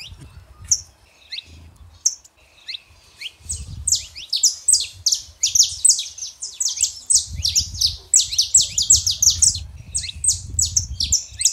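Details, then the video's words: Saffron finch, male and female, song for warming up a quiet canary: starts with sparse chirps, then builds into a fast dense stream of high downslurred notes, low rumble underneath. "canário da terra fêmea e macho pra esquentar seu canário frio"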